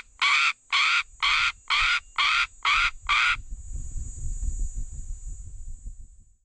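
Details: Northern black korhaan in KTP, South Africa, giving seven loud rasping croaks at about two per second. The series then stops abruptly, leaving faint low rumbling background noise.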